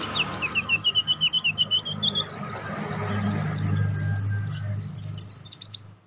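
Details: Konin songbird singing in a training recording for song contests, described as lively with sharp 'shooting' notes: rapid chirped notes climbing steadily from mid to very high pitch, about four per second, over a low steady hum.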